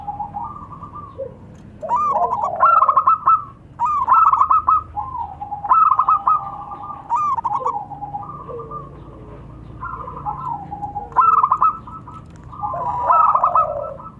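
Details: Local zebra doves, male and female, trading lively calls: stuttering, bubbling coo bursts repeated roughly every one and a half to two seconds, each starting with a quick rising flick.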